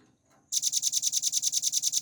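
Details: Velvet-fronted nuthatch from a tutor recording for cage songbirds: after a brief faint sound and a pause, an intense high trill of rapid, regular, sharp notes bursts in and carries on.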